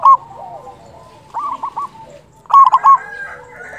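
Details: Local zebra dove used to lure others for trapping, with a loud voice. Two short bursts of rapid, bubbling coo notes sit over quieter cooing from other doves nearby.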